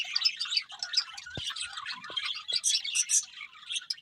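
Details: Budgies eating and singing, softer scattered high chirps and warbled notes, with a few sharp clicks in between.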